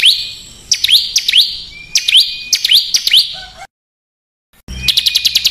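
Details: Rough besetan song of a small bird (burcil), recorded as master material for caged and contest birds; sharp rising whistled slurs repeated in pairs, a silent gap, then a fast high chatter.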